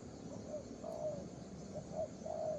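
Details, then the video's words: Brief burst of low, gentle cooing from a young spotted dove, two drawn-out notes and short soft ones between them, over a faint steady drone. "Đồng pha cườm 2dây.Clip444/ Chim tơ có bài, đánh ngay cội quá sung"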